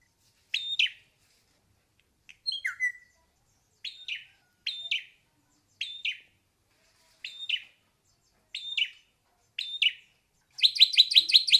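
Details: Ashy drongo singing short clipped chirps spaced about a second apart with one descending whistled note, ending in a rapid burst of harsh repeated notes.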